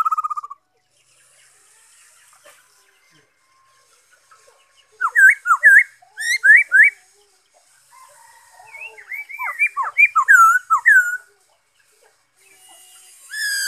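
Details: Black-throated laughingthrush, recorded 5 May 2021: several bursts of energetic whistled warbling, quick rising and falling notes run together, separated by quiet pauses.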